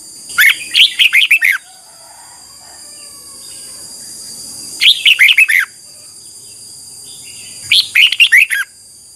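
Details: Red-whiskered bulbul morning song used to train a wild-caught bird: three short bursts of rapid, bright, warbling notes, each about a second long and spaced roughly three seconds apart, over a steady high-pitched hiss.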